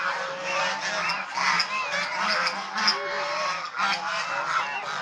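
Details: Nasal honking from domestic Chinese swan geese as they play, bathe and fight. Many voices overlap in a busy din, with sharper high squeaks and sudden louder bursts punctuating the steady chatter.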